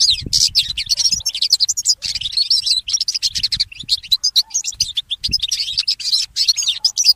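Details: Mule goldfinch, a goldfinch hybrid, in nonstop early-morning song: continuous, fast twittering and trilled high notes with hardly a break, faint low thumps beneath.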